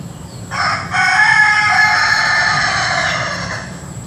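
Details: Ayam Ketawa, the laughing chicken, crowing on an afternoon at a chicken garden: a short opening note, a brief break, then a long sustained, harmonic-rich crow of about three seconds that fades out, over a low steady background hum.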